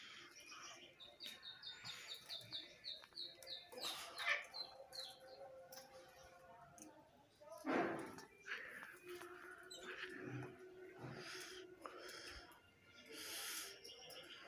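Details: Belgian canaries kept at home, eating kale, bathing and sunning, give a brief run of high, evenly repeated chirping notes amid household bumps.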